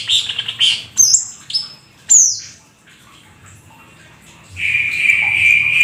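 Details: Black-winged starling singing mimicry-rich song: a few squeaky chirps and a sharp descending whistle, a brief lull, then a sustained buzzy wheezing note.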